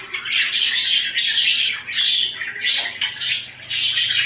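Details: Budgerigars kept as pets, cuddling and fighting indoors, chattering in harsh squawky bursts that run almost without pause, with short gaps roughly every second.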